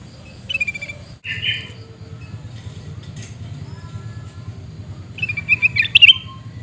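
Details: Sooty-headed bulbul (kutilang emas) scream calls from Mutiara, Pidie, Aceh: two short rasping bursts, a quiet stretch with a faint tone, then a longer, loud, grating chatter ending in sharp clicks.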